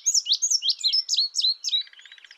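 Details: Indigo bunting: a quick string of bright, downward-slurred high notes, about five in a row, ending in a soft, buzzy rattle.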